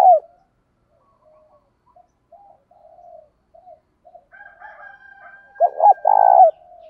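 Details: Spotted dove training call for provoking wild doves: a brief opening coo, scattered quiet coos, then two hooked notes and a long buzzing coo that fades out.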